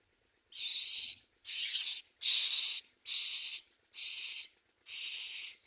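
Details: Common myna chicks at the nest give a run of six loud, harsh, hissing begging bursts, each about half a second long, repeated fairly regularly.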